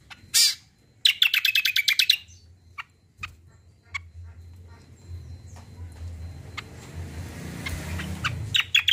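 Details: Kacial, the common iora, singing energetically: a loud high chirp opens, followed by a rapid run of about ten bright, even notes, then sparse soft chips over a low background hum.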